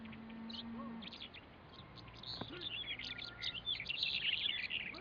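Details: Black-headed bunting (Emberiza melanocephala) singing at Bismil in 2013: a busy jangle of short, bright chirps and twittering notes that grows denser toward the end, over a faint low hum.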